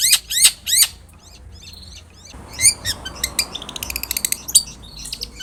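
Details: Energetic long-tailed shrike opening with three grating, downslurred rasps, then a fast jumble of high chirps, clicks and twitters; a lure to make a shrike sing back.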